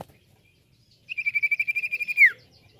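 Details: Common iora song used as a lure: a fast, even trill of short whistled notes on one steady pitch, about two per second for over a second, ending in a louder downslurred note.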